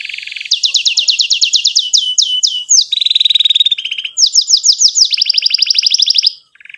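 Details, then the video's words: Canary singing gacor with long cuit-cuit phrases and ngerol rolls, used to train young canaries: fast repeated downslurred notes, steady rolls and sweeping phrases, then silence at the end. "KENARI GACOR PANJANG CUIT CUIT NGEROL NEMBAK"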